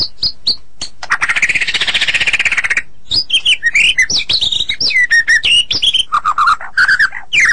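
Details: White-rumped shama song used as a training recording for songbirds: brief whistles, a long rapid harsh rattling buzz, then a quick jumble of varied slurred whistles and lower warbled notes.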